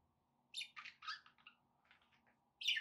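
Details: Pet budgerigars indoors chattering in quick high chirps and squawky warbled notes, a cluster of rapid calls followed by a pause and a sharp high chirp at the end.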